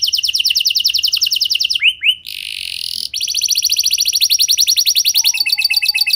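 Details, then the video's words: A canary sings to prompt other canaries to join in: a dense buzzing trill, two rising chirps and a harsh noisy burst, then a long, steady rolling trill. "Pancingan Suara Burung Kenari Lagu Unik! Buat Kenari Mana Saja Pasti Ikut Bunyi"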